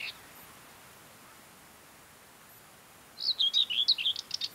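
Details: Common Whitethroat (Sylvia communis) singing on Ona Island and around Hustadvika, Møre & Romsdal, Norway, in mid-May; a long lull ends in one rapid, dry, scratchy warbled phrase of tumbling notes.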